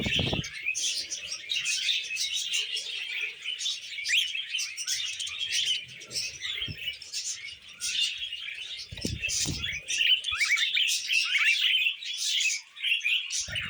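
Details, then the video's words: Pet budgerigars, happy while eating vegetables, keep up a busy flock chatter of quick rising chirps and squeaky warbles layered over each other, broken by a dull low knock partway through. "Happy Budgies Eating Veg"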